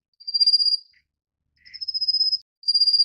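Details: Rufous-faced warbler at the nest feeding chicks, three high, fine, fast-pulsed trills of under a second each, separated by short gaps and one soft lower chirp.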